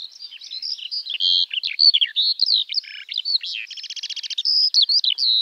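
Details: Eurasian skylark (Alauda arvensis), known in Finnish as kiuru or leivo, singing a continuous, high, rapid warble of chirps, slurred whistles and two buzzy rattling trills near the middle and end, with no gaps and no other sounds.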